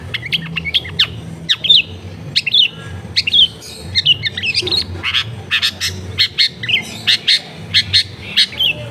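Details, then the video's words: Long-tailed shrike recorded near a home in a densely populated area, singing a fast, varied chatter of sharp chirps, squeaky whistles and rising and falling notes in dense bursts, with a steady low hum underneath. "SUARA JERNIH CENDET"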